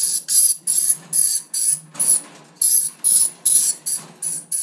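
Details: Dusky lory (Pseudeos fuscata) gives harsh, hissing screeches in a rapid series, about two or three bursts each second, with no other sounds.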